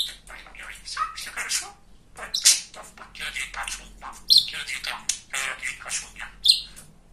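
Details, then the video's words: A very chatty male pet budgerigar, a talking bird, chatters in high, scratchy mumbled phrases punctuated by three sharp squeaky clicks, with one short pause near the middle. "Говорящий попугай"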